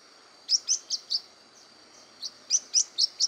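A blue-winged parrotlet gives high, sharp chirps: a quick run of four, a short pause, then five more, over a faint steady high hiss.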